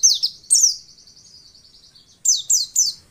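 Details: Female white-eye sound meant to stir males into quick singing: two high notes sliding downward, a soft fluttering trill, then three more quick descending chirps in a row.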